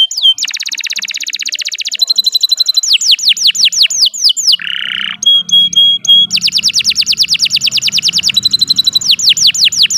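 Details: Canary in long continuous song used for training other birds: dense rapid trills, falling whistled slurs repeated several times a second, a brief harsh buzz, and a faint low hum underneath.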